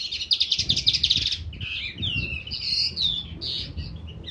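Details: February 2019 song of a crested lark in an outdoor aviary: a quick pulsed trill opens, followed by slurred whistles and warbled notes, with soft low knocks underneath.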